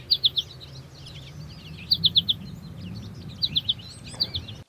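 American Goldfinch giving its bright 'potato-chip' flight call: quick high clusters of three or four chipping notes, repeated about every second, over a low background rumble.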